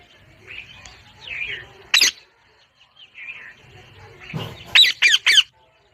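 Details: Parrot sounds: soft warbling chatter, then a single loud rasping squawk, a pause, and a rapid burst of three sharp squawks.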